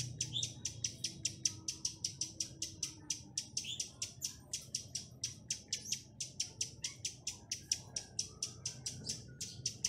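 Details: Chestnut-capped laughingthrush used as a decoy to call in wild birds, delivering its 'tạch' clicking song: ten seconds of brisk, regular, dry clicks with a few softer lower chirps slipped between them.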